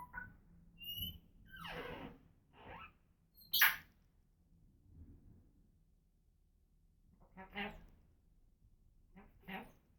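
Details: Female pet African grey parrot making assorted noises: scattered squeaks, rasping squawks and one sharp high shriek, separated by silent gaps.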